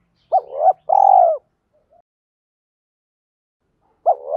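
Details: A spotted dove's training and lure call: a short rising-falling coo, then a longer vibrating burred coo, followed by silence before the next phrase starts. Nothing else is audible.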